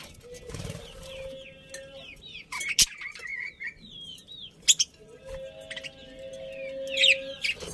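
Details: Budgerigar colony chirping happily: quick rising and falling whistled chirps in loose runs, a few sharp clicks, over a steady low electrical hum.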